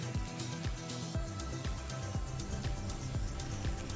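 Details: Only upbeat electronic music with a steady beat is heard, with no animal sounds.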